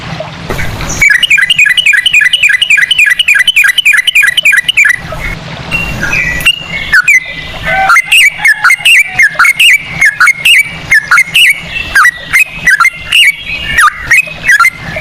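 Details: Yellow-vented bulbul lure song of the 'ropel' type, echoing Straw-headed Bulbul phrases. Opens with a steady run of bright chirps, then a pause and looser, varied notes with occasional clicks.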